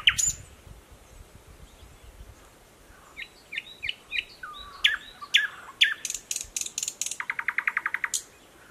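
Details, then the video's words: Mogilev district, Belarus, May 2021: a freshly arrived thrush nightingale in dense streamside growth sings whistled slurs, then loud clicks and a fast buzzing rattle, with frogs from a nearby pond in the background. "Поет восточный соловей. Luscinia luscinia."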